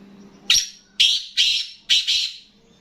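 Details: Black francolin calling: a loud phrase of four harsh, grating broadband notes, each abrupt at onset and fading, spaced about half a second apart, with a faint low hum underneath.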